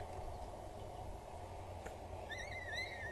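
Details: At a nest on Axel Tower in the Netherlands, 19 April 2022, two peregrine falcon chicks are fed by the mother; after near-silent hum, a thin wavering whine starts and rises toward the end.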